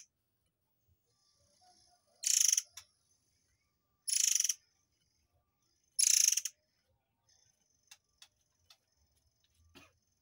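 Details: Murai air singing in the tembakan style, recorded as training material for white-rumped shamas: three harsh, buzzy, high bursts about two seconds apart, followed by scattered sharp ticks and clicks in a quiet setting.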